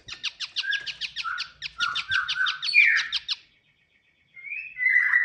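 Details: Pied triller (kapasan kemiri) song for luring birds: a rapid run of sharp notes mixed with lower slurred phrases, ending abruptly, then a second of silence before a rising, warbled whistle begins.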